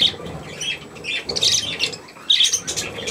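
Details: Young budgerigars with millet, 3 May 2024, give close, loud, rasping chirps in two quick bursts separated by a brief pause.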